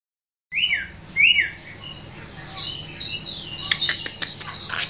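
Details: Chinese hwamei (Garrulax canorus), a songbird from southern China, sings loud, rich whistled phrases that swoop up and down, then breaks into a fast, dense run of bright, high chirps and harsh notes.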